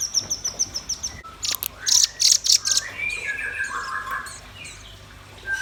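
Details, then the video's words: Red-billed nuthatch and white-rumped shama singing energetically: a run of quick, evenly spaced high chips, then loud sharp bursts, followed by lower warbled whistles sliding down. "Suara kicau burung rambatan paruh merah dan murai batu gacor"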